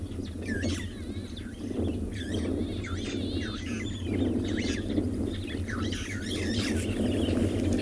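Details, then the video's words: Starlings calling in the late afternoon at Chitwa Dam, Tswalu Kalahari Reserve, South Africa, in September: a busy stream of chattering, whistled and warbling notes from several birds, over gusting wind and a low rumble. "I'll let you listen for a little while. I'm sure you can hear the starlings"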